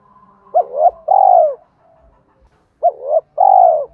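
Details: Thổ-voiced spotted dove giving a challenge call to provoke fighting together with calling song. The same phrase comes twice, about two seconds apart: a short double coo, then a long burry coo falling in pitch.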